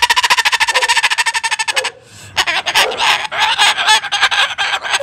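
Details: A male Moluccan cockatoo laughs and talks at children walking past outside the house, wanting them to say hi. He gives a rapid run of bright, staccato laugh-like notes, then harsh, raspy squawks and chatter.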